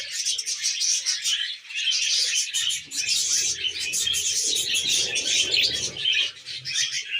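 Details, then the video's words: Happy tame budgies chattering: a sustained, dense twittering warble of fast squeaky notes, with a low rumbling murmur building through the middle. "Happy Budgie Sounds"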